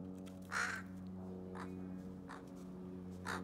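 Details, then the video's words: Female crow displaying to a male around nesting time, courtship before nesting: short hoarse caws spaced about a second apart, four in all, over a steady low electrical hum. "Crow courtship behavior before nesting"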